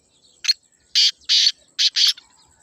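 A Black Francolin gives a harsh, grating phrase: one short rasp followed by four longer, scratchy bursts in pairs, all within two seconds. A faint high insect hum runs underneath.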